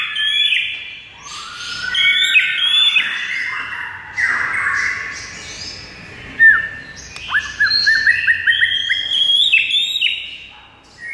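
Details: White-rumped shama song intended to make another shama answer: dense, jumbled warbling with buzzy whistles and squeaks, then quick falling notes and a busy twittering stretch.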